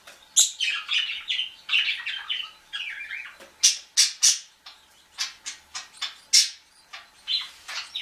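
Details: A canary gives harsh, rasping begging calls in quick, uneven bursts, begging a budgie for food.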